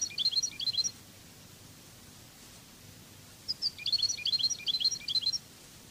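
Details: European goldfinch of the Spanish Cádiz song style, from a training recording: two separate bursts of bright, jumbled, tinkling twitter, each under two seconds, with faint background hiss between them.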